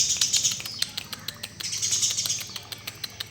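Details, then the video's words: Eurasian tree sparrow, master training recording: rapid high chirps repeated several times a second, forming a busy twittering stream with scattered clicks throughout. "burung gereja door master"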